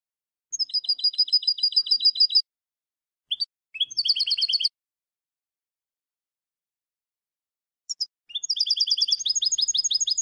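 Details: European goldfinch song for teaching young goldfinches, with bursts of rapid, high, tinkling trills and twitters broken by pauses, the final phrase running into a long even trill.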